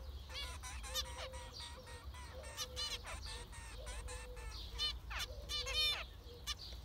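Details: Busy chorus of zebra finches: many short buzzy, trumpet-like harmonic beeps, some in rapid rattles, interleaved with soft low hums, over steady low-frequency noise.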